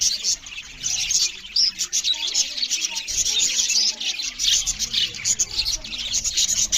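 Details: Loud chirping from several budgerigar parrots eating together: overlapping high, chattering warbles with sharp squeaky accents and a few brief dips in volume.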